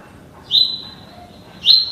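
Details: Double-collared seedeater aged 30 days, trained in the tuí tuí Alcântara song style in captivity, utters two long, level, piercing whistled notes separated by about a second of quiet.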